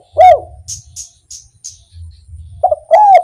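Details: Spotted dove in 'kuk 1' style gives a single rounded coo, a few thin high chirps follow, then a short coo leads into a long, rough, sustained coo.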